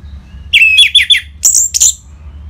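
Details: Ngeplong-style song of an orange-headed thrush, used to prompt caged birds to answer: a run of short, sharp whistled notes followed by two higher, piercing bursts over a faint low hum.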